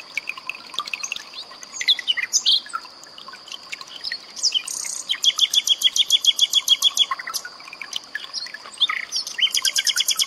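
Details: Common nightingale song burst mixed with trickling water, used to tutor cage birds. The phrases are varied and chattering, with a fast run of about a dozen repeated high clicks in the middle. A steady high whine runs throughout.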